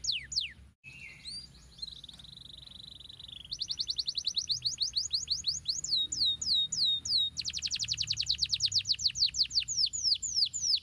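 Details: Canary song built from distinct phrases: a low steady whistle, a sustained buzzy tone, then rapid repeated down-sweeping notes and a fast trill of high, sharp, evenly spaced elements.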